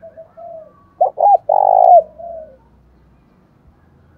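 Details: Decoy spotted dove giving its luring coo, thổ đồng style; gentle low lead-in notes, two quick loud clipped notes, a long steady loud coo, then a soft tail and silence.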